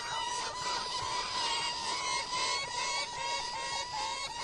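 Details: Gyrfalcon giving a continuous harsh, grating series of rapid scolding notes, about two per second, dense and raspy with a steady nasal tone running underneath.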